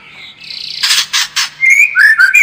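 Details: White-rumped shama song used as a lure to build a fighting spirit: three harsh, raspy bursts followed by clear, slurred whistles that rise and dip at mid-high pitch.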